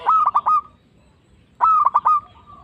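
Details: Local zebra dove in full voice, its call used as a lure to provoke other doves into replying and to stir breeding mood. Two phrases of a gliding opening note then rapid clipped coos, separated by a short pause.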